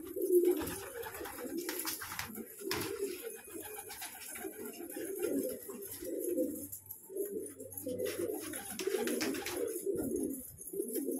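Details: Low, burbling coos from colourful pet pigeons, repeated in rounded swelling phrases roughly every second or two, several birds overlapping, with light scraping noise behind.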